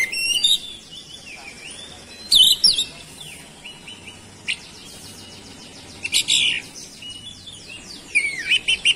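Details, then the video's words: Song of an oriental magpie-robin, used to provoke other magpie-robins into singing: high whistled notes and dense chattering trills arrive in short bursts separated by quiet stretches of a second or more. "CUKUP DIPANCING SEBENTAR KACER MANAPUN LANGSUNG ON GACOR"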